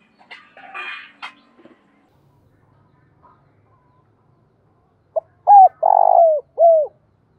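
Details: Spotted dove giving a lure coo for wild doves. It opens with scratchy higher noises, then quiet. Near the end one phrase: a pip, a short coo, a long buzzy coo and a falling closing note.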